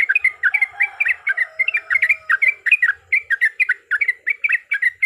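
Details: Yellow-vented bulbul singing a fighting song meant to provoke other birds: continuous chattering of short, bright, slurred notes in rapid succession, with a faint thin whistle behind.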